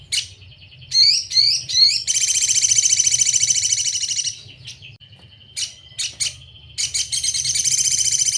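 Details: Sogon song used as a tutor recording for cage birds: a few sharp rising chirps, then long dense buzzy rattling trills, broken by short pauses and thin whistled notes, over a low steady hum.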